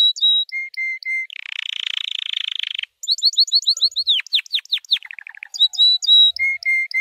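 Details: A white canary sings in a varied training song: repeated flat whistles at two pitches, a dense buzzy roll, then a run of quick downslurred notes sliding into a fast falling trill.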